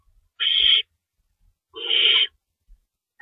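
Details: Owl nest, feeding time at 3:53 AM on March 25, 2012, with an adult shredding rabbit; two drawn-out, hoarse hissing screeches about 1.3 seconds apart, with a faint low knock between them.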